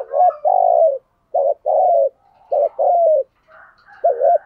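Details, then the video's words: Caged decoy spotted dove cooing to draw in wild doves, giving a steady series of low, mellow coos. Each short, wavering note runs straight into a longer sustained coo, repeated about three times in four seconds. "chim cu mồi thúc gù bài bản nhất hiện nay, chim cu gáy kích bổi hiệu quả nhất hiện nay"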